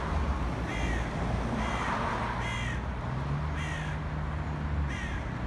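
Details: Five rough, harsh caws spaced about a second apart come from black crows attacking a pigeon, set against a constant low outdoor rumble.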